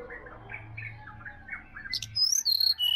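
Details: Wild sirdadu in Bali forest, morning recording: soft scattered chirps from surrounding birds, then a bright, high whistled phrase of piercing notes sliding down in steps, loud and clear over a quiet low hum.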